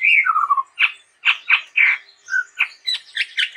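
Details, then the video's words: Chestnut-rumped babbler singing energetically: a falling whistled phrase, then a series of rough, chattering bursts and one brief clear note, ending in quick scratchy notes. "SUARA BURUNG TEPUS TUNGGIR MERAH GACOR YANG UNIK"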